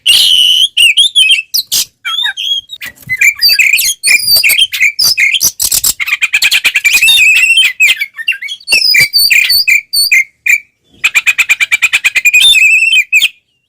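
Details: Fighting oriental magpie-robin with tail spread, song used to anger other magpie-robins: nearly continuous dense singing of shrill whistles, chips and scratchy notes, with long rapid trills in the middle and toward the end.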